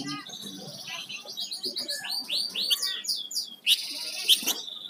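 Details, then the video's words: Flamboyan songbird in gacor song: a fast series of rising and falling whistled sweeps, varied and tumbling, followed by loud harsh buzzy bursts. "Suara Burung Flamboyan Gacor"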